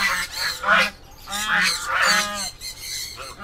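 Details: Domestic ducks on a farm, beside the house being built for them next to a turtle setup, give harsh, nasal honking calls in short bursts, several overlapping, about five calls in a few seconds.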